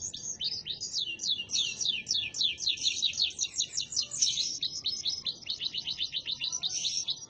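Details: Canary in an extended rolling song of rapid, high repeated sweeping notes, steady and unbroken for over seven seconds, with rhythmic pulses in loudness.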